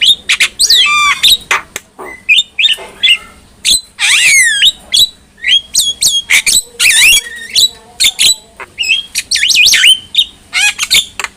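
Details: Javan myna in full, lively song used as tutor material for other mynas: rapid varied whistles, rising and falling slurred notes, sharp clicks and raspy squawks tumbling together almost without pause, with a faint steady hum underneath.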